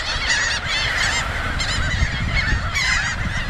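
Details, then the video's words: Feeding flock of Laughing gulls on a Southern New Jersey beach in Cape May County, a Ring-billed gull among them; bursts of wavering, nasal cries overlap in several groups above a low surf roar. "Laughing Gulls Feeding"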